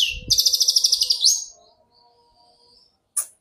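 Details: Long-tailed shrike song used to train captive birds: a quick run of rapid chattering notes ending in a rising slur, then near silence and a brief final note.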